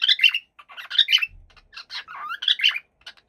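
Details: Happy pet cockatiel indoors giving a rapid series of bright chirps and harsh squawky notes in irregular bursts, with one brief low thump in the middle.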